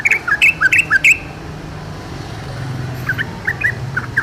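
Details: Wild yellow-vented bulbul delivering a loud quick string of about eight bright chirps, then a pause, then softer scattered slurred notes.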